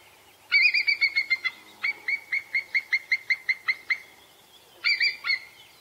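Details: A bald eagle in Vancouver gives a thin, high chattering call of quick, slightly falling piping notes, about six a second, in bursts with brief pauses.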